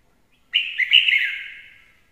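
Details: One rich, rolling warble from a red-whiskered bulbul, starting abruptly, wavering in pitch and trailing off over about one and a half seconds, in near silence.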